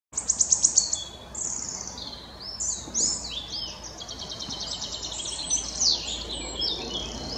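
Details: A singing male wood warbler at Dove Stone RSPB, Oldham, Greater Manchester, on 11 May 2021 gives high ticking notes that speed up into a thin, shivering trill, with other high bird notes woven through.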